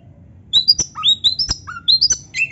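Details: Oriental magpie-robin (Copsychus saularis), song.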